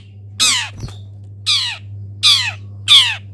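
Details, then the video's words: Caged long-tailed shrike basking in morning sun after a misting, giving four loud hoarse squawks with downward-sweeping tones over a steady low electrical hum. "CENDET GACOR FULL ISIAN"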